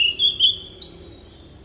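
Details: Decoy Oriental magpie-robin in forest-style song for coaching young birds: a series of four clear whistles climbing gradually higher, each slightly drawn out, over a soft low hum.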